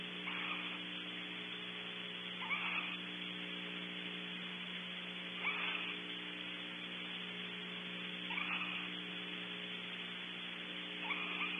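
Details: Barn owls in a nest cavity at a ranch in California during an hour-long shared mealtime; harsh drawn-out hissing screeches repeat every two to three seconds over steady electrical hum and hiss.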